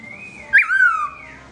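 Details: A single short melodious whistle from a black-throated laughingthrush singing with its owner away, 2017, sweeping up sharply and then gliding down in one clear slurred note.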